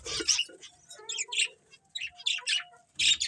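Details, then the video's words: Budgerigars chirping: high, buzzy warbling chatter in three main bursts over a few seconds, with short lower tonal notes slipped in between and brief quiet gaps. "Beautiful Budgies Chirping Sounds"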